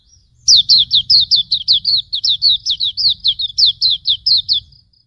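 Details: Hume's white-eye singing a long, even series of high, clear, sweeping chirps at a brisk, regular pace for about four seconds, over a faint low hum.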